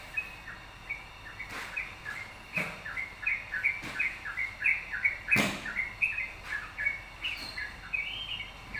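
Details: Yellow-vented bulbul singing actively, used as a lure to provoke other birds into song: rapid bubbly chirps, short rising and falling notes strung densely together, broken by a few sharp knocks and thumps.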